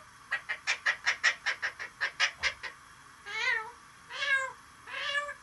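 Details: Parrot imitating a chicken and a cat: a run of about fourteen quick clucking notes, then three drawn-out meow-like wails.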